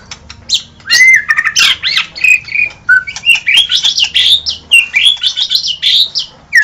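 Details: Murai batu, or white-rumped shama, pouring out gacor song: a dense, almost unbroken stream of buzzy squeaks, rich warbles and twisting whistles, with one short pause in the middle.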